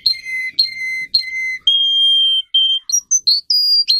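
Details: Russian canary bred for singing, song used to train other canaries: three pure whistled notes, then a long level whistle and quick rising and falling tours ending high and bright.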